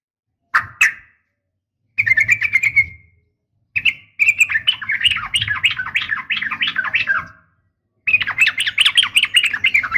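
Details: Female sooty-headed bulbul calling a male in the 'nggaruda' fighting manner: short chirps, then a long, tumbling stream of bubbly warbled notes that slides gradually lower, a final burst after a pause.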